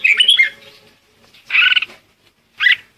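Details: Red-whiskered bulbul lure song meant to call the flock: a bright warbled phrase of slurred notes followed by two short chirpy bursts with gaps between.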